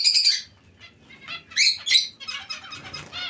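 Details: Zebra finches in a colony shared with Bengalese finches. Loud nasal, harmonic beeping calls come in quick clusters, with a burst at the start and sharp paired notes near the middle, then softer overlapping chatter.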